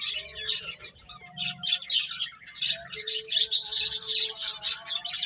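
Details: Finches eating and playing, a dense chorus of high, rapid chirps and short tweets overlapping continuously, several birds calling at once, with a faint low hum beneath.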